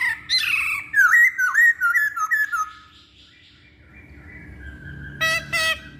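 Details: Masked laughingthrush song played as a lure for other birds: bright, quickly repeated looping whistles, a quiet stretch, then two short harsh notes and a clear whistle.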